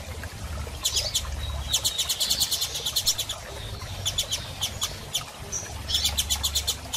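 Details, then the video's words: Female double-collared seedeater soliciting mating, in an excited state, giving rapid runs of sharp high chirps in quick series, with occasional thin whistles between bursts and a low hum behind. "Fêmea de Coleiro Piando e Fogosa e Pedindo Gala!!"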